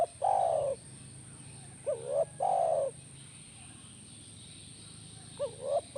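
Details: Spotted dove call used to prompt a caged dove to answer: a long, low, slightly falling coo, then a pair of short rising notes, then another long coo and a further short pair, all over a steady high-pitched whine.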